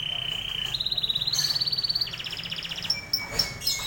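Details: Singing canary: a steady, pure whistled note, then rapid trills stepping upward in pitch across successive sections, ending in scattered high chirps, with a low hum underneath.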